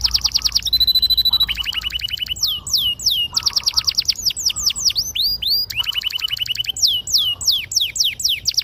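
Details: Loud canary song in long gacor rolls, sharp and clear, intended to stimulate young canaries learning to sing: very fast chip series, a high thin trill, and repeated arching upswept whistles in quick succession.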